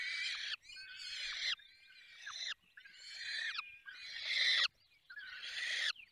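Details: Feeding time at a falcon nest in the Barycz Valley, Poland: a run of five rough, wheezy screeches, each lasting about a second, separated by short gaps.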